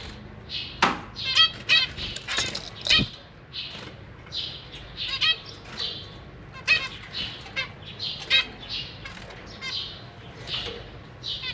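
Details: Caged zebra finch family with parents feeding young: long sequence of short nasal chirps from several birds, scattered sharp clicks and wing flutters, the calling steady and uneven throughout.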